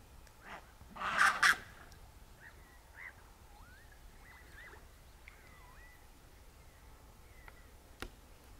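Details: Black-headed gull in breeding plumage, recorded very close: a harsh, loud call burst around one to one and a half seconds in, followed by faint, short curved whistled notes and a sharp click near the end over quiet background.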